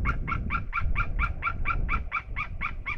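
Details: Rapid, evenly spaced yelping notes, about four per second and twelve in all, from two eagles calling out of sight in Estonia on 27 August 2021, over a low rumbling background.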